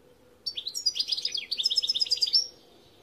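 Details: A lively European goldfinch song of about two seconds, with high twittering slurs followed by a quick rhythmic chain of sharp repeated notes and a final upward flourish, clear against a faint background.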